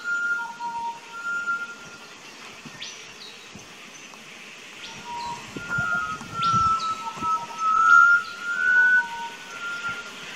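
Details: Pied butcherbird singing in an Australian backyard garden, filmed 19 October 2018 with a Nikon Coolpix P900: clear, pure fluted whistles held on a steady pitch, some notes dipping lower, while other birds add high short chirps.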